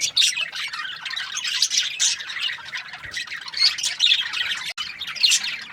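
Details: Budgies, called Australian budgies, produce nonstop high chatter: fast chirps, trills and squeaks overlapping, surging in loud pulses every second or so, with one brief dropout near the end.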